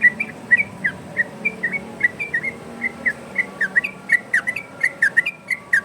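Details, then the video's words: Varied-style yellow-vented bulbul song for training and luring other birds: a steady stream of short clear whistled notes, some sliding down and some rising, given in quick irregular bursts over a faint low hum. "Burung trucukan Ropel variasi!!! Dijamin nyaut trucukan dirumah!!!"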